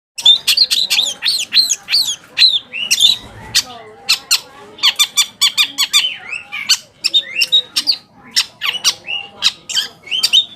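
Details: Long-tailed shrike song used as a lure to provoke other shrikes into answering: rapid chattering run of sharp, squeaky notes, many short downward-hooked whistles repeated quickly, busy and scratchy throughout.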